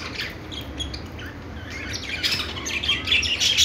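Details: Budgies chirping: soft, scattered squeaks at first, then a louder run of bright, high twittering notes and rapid chirps in the final second and a half.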